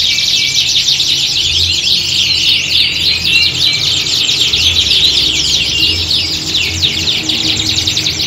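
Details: Multiple canaries singing in a competition-like atmosphere for training: continuous chorus of rapid, high, downward-sweeping notes and rolling trills, about three notes a second standing out, faint low background hum.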